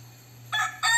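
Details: A crossbred fighting rooster crows clearly after half a second of quiet: two loud, harsh, ringing bursts, the second cut off, over a steady low hum.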